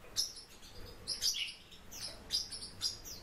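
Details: Caged Warbling white-eye producing sharp, high chirps with short downward-slurred twitters, several notes in quick succession with brief pauses, over a faint low hum.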